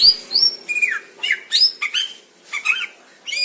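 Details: Greater green leafbird singing in the wild in Indonesia, clear tutor recording: a lively mix of chirps, upward-sweeping whistles and downslurred notes in irregular bursts, roughly two or three phrases a second.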